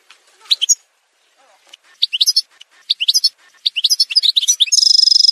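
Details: Algerian goldfinch song edited into a montage: bright, rapid twittering phrases of high chirps and trills, ending in a fast buzzy rattle, with no other sounds.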